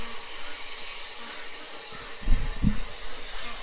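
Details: Broad hiss with a few dull low thumps near the end is heard, with no animal calls.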